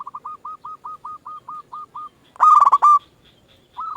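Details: Local zebra dove singing as a lure for other doves: a string of about a dozen soft, evenly spaced short coos, then a loud stuttering rolled phrase, then the start of another.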